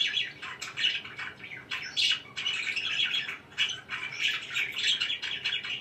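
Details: Chattering pet budgerigars: bursts of harsh squawky chirps and fast twittering warbles coming in uneven waves, some notes louder and grating, with short dips between the bursts.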